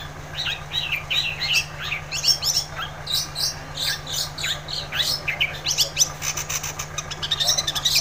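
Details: Rapid, busy 'gacor' song of a long-tailed shrike, used to trigger song in a quiet shrike: a continuous chatter of quick, varied high chirps and slurs for eight seconds over a low steady hum.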